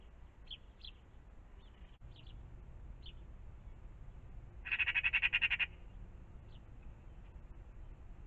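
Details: Magpies around a pond in the morning; after a few faint high squeaky notes, one loud grating rattle of rapid repeated notes lasts about a second, followed by calm background.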